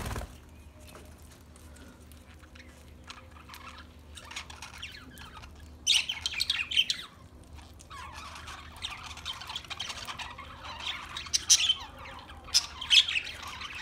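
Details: Budgerigar sounds, quiet and scattered at first, then louder bursts of squeaky chirps and scratchy chatter in the second half, separated by short pauses.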